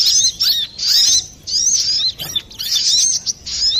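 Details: Brown-throated sunbird, noisy song used for luring or training birds: short, high, buzzy-squeaky phrases of rapid chirps, roughly one per second, separated by brief pauses.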